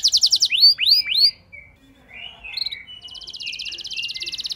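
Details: Canary song used to draw a reluctant canary into long singing: a short fast trill, three loud rising-falling whistles, softer twittering notes, then a quiet high rattle.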